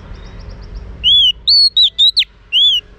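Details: Female Oriental magpie-robin stimulating males with a pure whistled phrase of arched and sharply slurred notes, followed by one more arched whistle. Faint rapid chirps sound beforehand.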